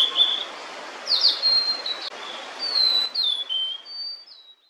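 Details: A female Blue-and-white Flycatcher sings while holding food for her chicks, apparently lingering near an observer to hide the nest; a thin, high series of clear whistled notes, some sliding and some buzzy, over soft hiss.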